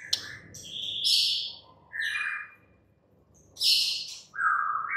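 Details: White-rumped shama giving separate high harsh bursts and short whistled notes, with a brief pause, over a noticeable low background hum.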